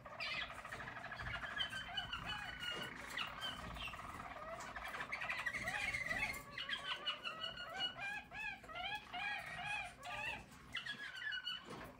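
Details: Song of a yellow Harz German Roller canary recorded in 2022, made of rolling trills and warbled tours, later shifting into rhythmic repeated arched notes, a few per second, rising and falling in clear bursts.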